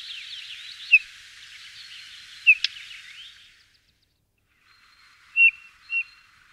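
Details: Eurasian bullfinch (Pyrrhula pyrrhula): a few clear, soft piping whistles stand out over dense high twittering for several seconds, then after a pause come two short mellow piped notes.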